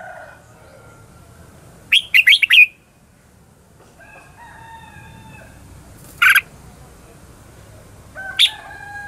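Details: Singing red-whiskered bulbul used as a lure bird to provoke rivals to sing. A fast run of four sharp chattering notes is followed by soft steady whistles, then two isolated harsh calls after long pauses.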